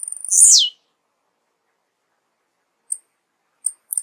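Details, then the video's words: Blue-black grassquit song: one sharp, very high buzzy note sliding steeply downward, followed after a long silence by a few faint, isolated high ticks. "Canto do TIZIU | tizirro | saltador | veludinho | bate-estaca | serrador | serra-serra | alfaiate"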